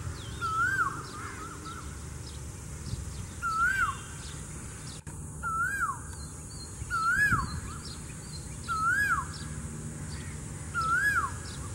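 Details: Female cuckoo singing: a mellow whistle rising and falling, repeated six times at roughly two-second intervals, with other small birds chirping faintly above and a low continuous hum beneath.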